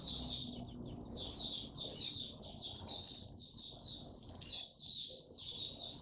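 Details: Oriental white-eye, 25 January 2022, after sleeping late, singing 'tiong aw': high twittering phrases punctuated roughly every two seconds by a loud, sharp, shrill note.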